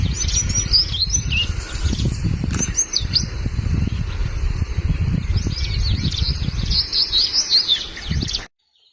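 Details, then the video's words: Crested bunting calling: bursts of thin, high chirps and quick twittering notes in two main runs, with a strong low rumble of wind or handling noise underneath. "Species Crested bunting call"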